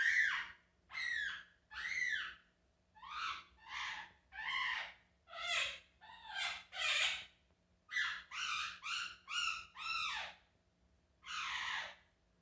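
A monk parakeet gives a run of loud, harsh, arching squawks, some in quick pairs.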